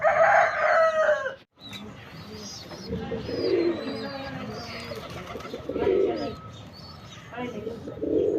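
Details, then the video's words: Male sabza pigeon in display, deep rolling coos repeated every couple of seconds against background noise, with a brief drop-out and scattered higher chirping. "Male Pigeon Super Performance"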